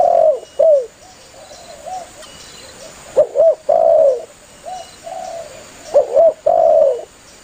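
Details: Spotted dove calling its companions, used as a lure by dove hunters: repeated deep coo phrases of paired hooked notes and long falling coos, with fainter echo-like coos filling the gaps.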